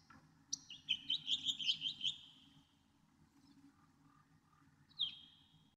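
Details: Northern mockingbird sings a quick, tumbling burst of high chirps lasting over a second. A single downward-slurred note follows after a long pause, against quiet background noise.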